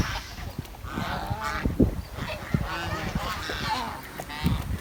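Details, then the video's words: Village swans calling in short, harmonic honks and softer chattering notes, several voices overlapping against a constant noisy background. "The Chirping Sound of The Village Swan"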